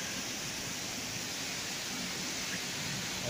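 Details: Continuous rushing hiss resembling a waterfall or heavy rain, and no animal voice can be picked out.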